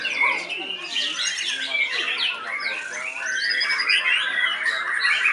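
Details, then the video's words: A 7-month-old white-rumped shama at a songbird contest sings rapidly and continuously, rich varied whistles with sharp high bursts, tangled with other competing birds singing nearby. "murai batu usia 7 bulan REAL hujan Tembakan"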